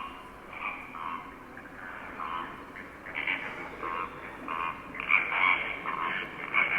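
A flock of flamingos gabbling nonstop, with nasal, goose-like honks overlapping in a dense chatter that swells louder toward the end.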